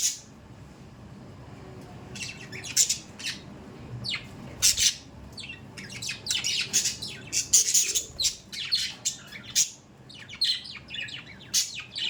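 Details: Budgies chattering steadily indoors: a busy stream of harsh squawks, scratchy chirps and warbled twitters in irregular bursts, nearly continuous throughout.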